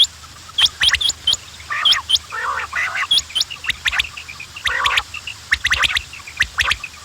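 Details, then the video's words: Several quails calling: short hooked high chirps and clicks mixed with harsh, nasal bursts, irregular and overlapping. "The sound of quails بٹیروں کی آواز"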